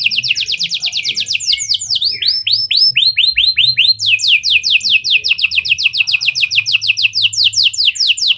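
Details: Canary singing in a style copying lovebird and prenjak, a lure to set other canaries singing long: rapid downward-sweeping notes in long trills, briefly slowing to rising whistled notes before speeding up again.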